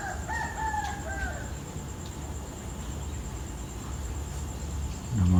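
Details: Rooster crowing in the early morning between about 4 and 5 a.m.: one drawn-out, slightly falling crow lasting just over a second, faint against steady hiss and background noise.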